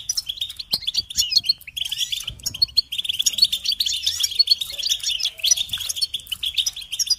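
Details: Goldfinch singing for a recording meant to teach chicks and stimulate songbirds, a steady flow of high, tinkling twitters and short buzzy notes with hardly any gaps.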